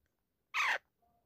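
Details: One brief, loud, grating squawk of about a quarter second from a pet talking Alexandrine parakeet, then near silence.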